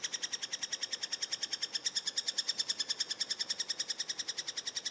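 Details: Eurasian three-toed woodpecker at a feeding: an unbroken stream of high, ringing, harmonic chips, very fast, about seven per second, even in loudness throughout, over faint background hiss.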